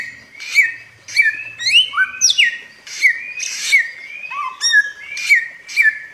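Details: Bare-throated whistler, or samyong, a bird endemic to Flores. Clear, ringing whistles repeat about every second, each with an upturned flick. A few low, slurred notes are mixed in, and a faint low hum sits underneath.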